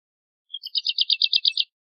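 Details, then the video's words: Brief Woodlark phrase: one thin lead-in note followed by about eight rich, evenly spaced repeated notes over roughly one second. Silent background. "Woodlark Singing! Woodlark Calling! Chirping, Sound - Alondra Totovía Canto - Lullula Arborea"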